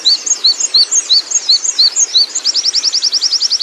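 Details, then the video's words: Oriental white-eye, a wild bird, singing a continuous rolling song: high thin downslurred chirps repeated about four times a second, then a rapid run of sharp ticking notes at the end. "suara burung pleci ngalas ngerol"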